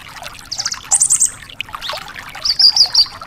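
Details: Javan bush lark in full, energetic song, used as a tutor recording for training caged larks: high, dry trilled bursts and a thin whistled rattle, with a dense patter of tiny ticking notes underneath.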